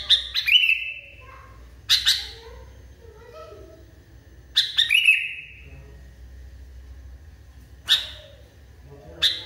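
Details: Agitated sooty-headed bulbul calling in short bursts. Each burst is a cluster of sharp, explosive chirps, sometimes trailing into a level, drawn note. The bursts are spaced unevenly, with quiet gaps of a second or more between them.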